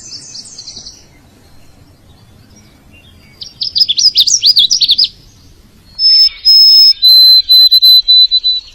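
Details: A male bird calling for a partner: soft high twitter, then a loud burst of rapid looping whistled notes, followed by bright sustained piercing whistles broken into repeated pulses.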